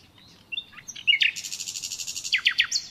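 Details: Natural common nightingale song: soft twittering notes, then a loud burst of rapid, evenly repeated clicking notes that build into a pulsing trill, ending with a few sharp descending notes and a high whistle.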